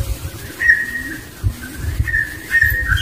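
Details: Barbet with its young in the wild: clear whistled notes at a steady mid pitch, each held briefly and repeated about every second, over low rumbling background noise.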